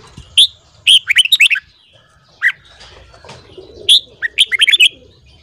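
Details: In the morning a red-whiskered bulbul sings, a recording for training birds to sing: a bright lead note and a quick bubbling run of whistles, a single mid note, then another full warbled phrase.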